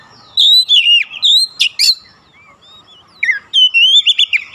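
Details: Song of an oriental magpie-robin meant to goad other magpie-robins: clear whistled warbles with harsh buzzy notes, a pause, then a quieter falling whistle and a new wavering phrase.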